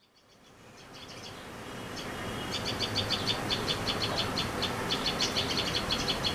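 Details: Asian pied starling (Gracupica contra) in a backyard in Howrah, West Bengal, India, foraging for insects in old tree bark: short, high, clipped chirps in quick runs, about three a second, over a steady rushing background hiss.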